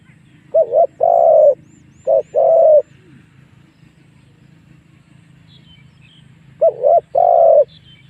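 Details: Spotted dove lure call used to draw wild doves in to fight. Three mellow cooing phrases, each a short note then a longer, slightly falling coo, over a faint low hum.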